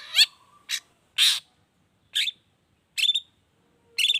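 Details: Long-tailed shrike 'toet toet' variation pancingan lure: six short harsh, buzzy notes, roughly two per second, some trailing into a brief whistle.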